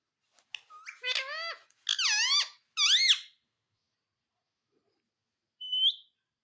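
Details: Pet parrot talking indoors: three harmonic, speech-like syllables with wavering, rising and falling pitch, then a pause and one short high squeak.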